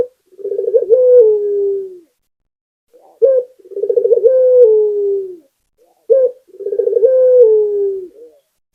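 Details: Local puter (spotted dove) singing steadily: three low cooing phrases about three seconds apart, each a short clipped coo, then a rapid rolling stutter swelling into a long, drawn-out coo that slowly falls in pitch. Quiet, clean background.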